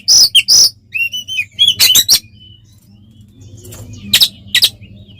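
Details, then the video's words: Oriental magpie-robin song used to provoke other birds: two loud harsh notes, then thin whistled slurs and buzzy bursts, fading into a quieter stretch with steady low hum and a few scattered harsh notes. "SUARA BURUNG kacer gacor NGEPLONG TARUNG konslet paling AMPUH buat PANCINGAN KACER agar EMOSI"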